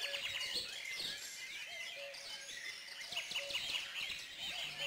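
A Dunnock's high, fast, warbling jingle runs through other busy bird chatter. A faint, steady low tone sounds in repeated short bursts underneath.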